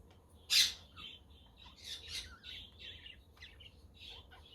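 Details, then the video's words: Budgies chirping on a sunny, windy day with a quaker parrot and a conure heard in the background; one loud harsh squawk opens, followed by a flowing string of soft warbled chirps. "Parakeet Friends for your LONELY budgie birds"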